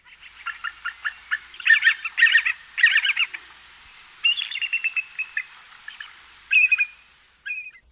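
A Bald Eagle gives thin, high chattering calls: rapid piping notes in three quick bursts, then a few squeaky whistles that slur downward.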